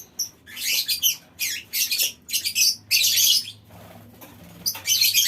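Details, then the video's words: Lovebird colony in a small aviary calling, which sets other birds chattering long; harsh, shrill high-pitched bursts of chatter in dense clusters, broken by short pauses. "Suara Lovebird Koloni Bikin Burung Lain Ikut Ngekek Panjang"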